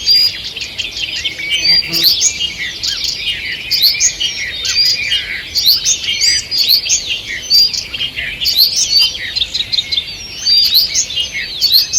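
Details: Morning forest bird song recorded on 2 June 2023: a dense chorus of many birds, with high twittering, chirps and thin whistles overlapping without a break, and soft steady background noise.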